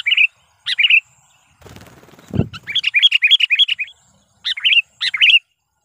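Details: Lure-call bursts from a sooty-headed bulbul used to draw in wild bulbuls: short liquid, rolling chirp phrases and a fast run of bright notes, broken midway by a low rustling thump.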